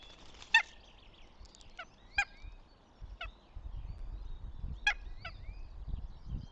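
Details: Northern goshawk calling at the nest in Tartu, Estonia, 26.04.2025: loud, abrupt, grating notes spaced a second or more apart, over low rumbling noise and soft songbird whistles.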